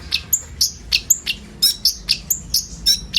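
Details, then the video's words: Several common ioras singing together in an isian-style filler song used to lure sunbirds: high, sharp chirps and short whistled notes repeated about every quarter second, with buzzy bright notes between them and a faint low hum beneath. "SUARA BURUNG KONIN BUNYI ISIAN"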